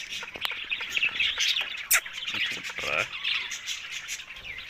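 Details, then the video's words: Rose-ringed parakeet, said to be talking while eating; rapid, irregular high chirps run throughout, broken by one sharp, loud squawk just before two seconds and a rasping burst near three seconds. "Ringneck Parrot Talking Eating"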